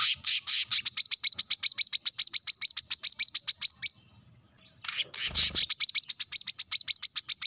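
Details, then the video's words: Brown-throated sunbird's sharp summons to rivals: rapid, insistent high chips delivered in a steady stream, broken by a short silence and a low thump before the run continues. "kolibri kelapa | manggar | wiceh | suara tajam memanggil lawan"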